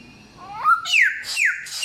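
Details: Samyong song in a small indoor space: a low wavering whistle rises into sharp, loud downward-sweeping whistled slurs, repeated about three times.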